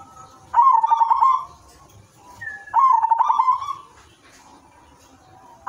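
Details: Zebra dove of the silver variety singing to set off other doves: two loud bubbling, rolling coo phrases each about a second long, separated by quieter pauses, a third starting at the end.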